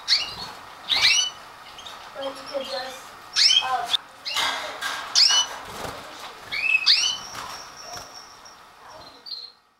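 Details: Stafford canary chicks, just beginning to leave the nest (dated 1/9/2012), give sharp, high chirps that rise and fall, in uneven bursts every second or so, then a thin sustained whistle near the end.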